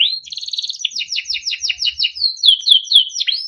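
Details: A yellow Timbrado canary sings a quick twittering rattle, then a series of bright two-part sweeping notes at a steady pace, finishing with rising whistled slurs.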